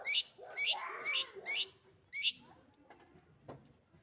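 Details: Long-tailed shrike kept as a pet bird, singing in a lively, vigorous style. Bursts of scratchy, harsh broadband notes repeat about twice a second, followed by three sharp, high, thin whistled pips.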